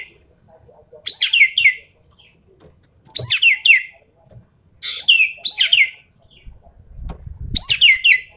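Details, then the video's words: Full tembakan song of a Javan pied starling: repeated bursts of harsh, scratchy, downslurred notes every couple of seconds, with a low rumbling thump near the end. "BURUNG EKEK KELING SUARA FULL TEMBAKAN"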